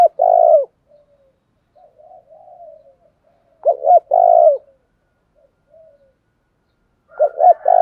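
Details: A decoy spotted dove in the 'thúc đấu' challenge style gives three loud low phrases, short double hoots then a long vibrating coo, with soft quiet cooing filling the gaps.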